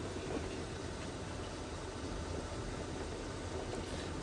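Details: Steady vehicle engine idling with broad hiss during a sunrise safari drive; no animal voices emerge.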